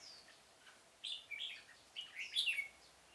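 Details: Decoy red-whiskered bulbul used for trapping in a pomelo garden, 25 October 2017; a quick run of rich, chirpy warbled notes rising and falling, ending in a louder ringing flourish.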